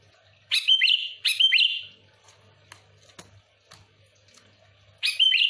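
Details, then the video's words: Two quick bubbly whistled phrases from a sooty-headed bulbul, followed by soft scattered clicks and another phrase at the end; sung to draw in other bulbuls. "Suara burung kutilang gacor full Asli,,cocok untuk pikat Kutilang ribut paling ampuh cepat respon"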